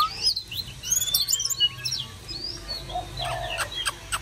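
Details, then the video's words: Oriental magpie-robin in summer song, pouring out rapid high chirps, trills and sweeping whistled notes. The phrases tumble quickly, then a few sharp clicking sounds and quieter chatter close the passage. "Chòe than uốn hót đón hè sang"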